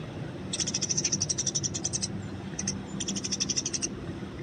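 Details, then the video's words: Eurasian tree sparrow in the wild, fighting, for training: two bursts of rapid high chirps with a pause between them, fairly soft against low background noise. "masteran burung gereja di alam bebas"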